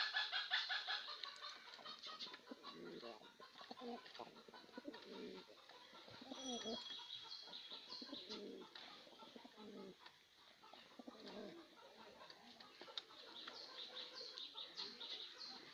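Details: White king pigeons coo in low, throaty rolls, repeated over a background of hissy chatter and shuffling.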